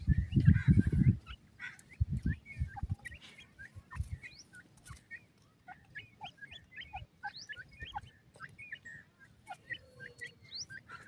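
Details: Partridge chicks playing, known locally as Kashmiri teetar: many short, high, rising chirps and peeps repeated rapidly in overlapping bursts, with dull low thumps and rustling near the start.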